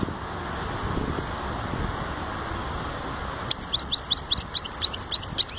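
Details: European goldfinch bursting into song after three and a half seconds of steady low background noise: a quick series of high, sharp chirped notes repeated in a lively stuttering run until the end.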